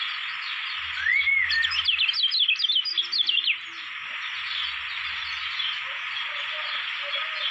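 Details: Kecial kuning of Lombok, Indonesia, kept as a competition songbird, gives a brief slurred whistle followed by a quick burst of sharp high chirps lasting about two seconds, with constant background hiss and soft low murmurs.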